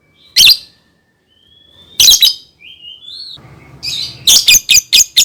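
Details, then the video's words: Lovebird song for teaching young birds: two sharp chirps set apart by gliding high whistles, then a low murmur and a fast series of five clipped chirps. "SUARA BURUNG Love Bird COCOK BUAT PANCINGAN PAUD"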